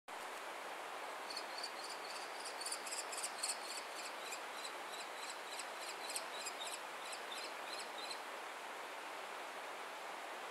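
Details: Three common kestrel chicks in a nest high in a pine give a quick series of thin, high, sharp notes, about three a second for seven seconds, over steady hissing background noise.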